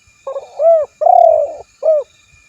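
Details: Cooing spotted dove calling a rival, recorded to lure other doves: a brief low note, a rounded rising-falling coo, a long buzzy trembling coo and one short closing coo.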